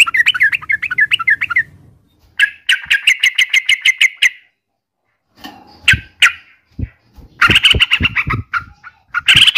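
A yellow-vented bulbul gives bursts of bubbly, chattering notes, fast runs broken by short pauses, with a few dull thumps between phrases.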